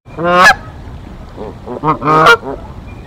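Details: Canada goose pair guarding their Decorah nest from an intruding goose, 1 April 2024: a long blaring honk, then softer clipped honks building to another loud, harsh one.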